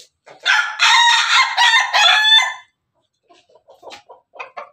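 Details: Pelung chicken of Bangkok type in a laughing crow, one long raspy, pulsing burst lasting about two seconds, then quiet with a few faint distant clucks.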